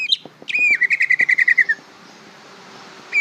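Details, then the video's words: Greater green leafbird, a young bird still learning its song, gives a quick chattering run of about twelve bright whistled notes, even and steady, after a brief chirp, then pauses before another note. "suara burung cucak ijo belajar berbunyi"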